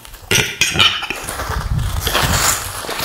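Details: Western capercaillie in mating display in pine forest at Hikiä, Hausjärvi, Finland, on 30 March 2018, recorded on a phone: several sharp dry clicks, then a rough, hissing scraping phrase, with low rumbling handling noise underneath.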